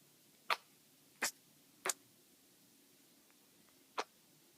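A sun conure makes short, sharp kissy smacks, three in quick succession and then one more after a pause.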